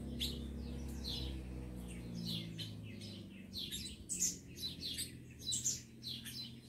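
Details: Captive rufous-collared sparrows, fighting-ready males together with females: rapid high chirps and short downslurred notes, growing louder toward the end, with a strong low hum underneath.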